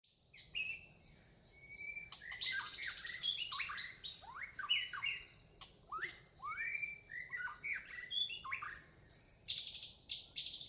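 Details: Red-vented bulbul, a small Indian bird, giving bright chirps and short slurred whistled notes, often falling in pitch, in quick irregular bursts, over a steady high insect-like hiss.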